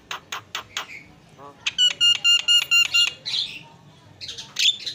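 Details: Javan myna song of the isian style, used as tutor material and to prompt other birds to sing: a run of sharp clicks, then a regular series of rapid, piercing repeated notes, followed by harsh rasping bursts.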